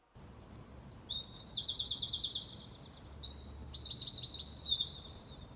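A Eurasian Wren bursts into a loud, high, rapid song of fast trills and rattles, pausing briefly before launching a second trilled run.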